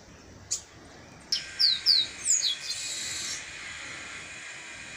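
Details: Chestnut-capped blackbird singing in nature: a short sharp note, then a run of clear, high, downslurred whistles that ends in a drawn-out buzzy trill lasting about a second, over a quiet background.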